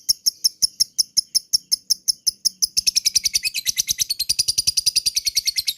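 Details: Lovebird giving a ngekek call, played as a lure to rouse other lovebirds into a long ngekek. It starts as sharp high chirps about four per second, then speeds up into a dense, continuous rattling trill.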